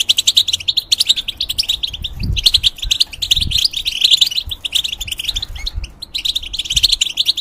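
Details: Caged European goldfinch delivering an energetic, unbroken song of fast tinkling notes and twittering trills in repeated phrases, with occasional low bumps in the background.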